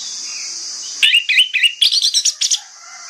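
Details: Morning song of an orange-headed thrush, played to lure other thrushes to reply: a fast series of bright slurred whistles and scratchy notes, roughly four per second, over a steady high hiss in the background.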